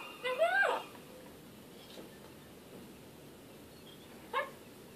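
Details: African grey parrot indoors making a short run of speech-like rising and falling vocal sounds near the start, then one brief sharp call about four seconds later, with quiet room hiss between.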